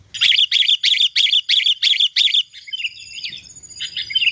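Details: Wild-bird lure of a sooty-headed bulbul, kutilang, in loud gacor song; seven harsh, buzzy chattering notes in fast even rhythm, then softer warbled whistles over faint background noise.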